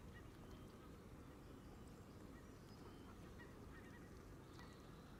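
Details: A flock of Canada geese surrounding a camera set at the water's edge while they feed in the grass; scattered brief honks repeat through a dense, low background roar.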